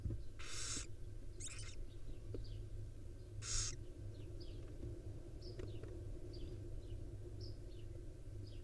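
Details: Wild barn owl mother tending her five owlets; three short hissing screeches early on, followed by soft high chirps and faint scratching over a low droning background.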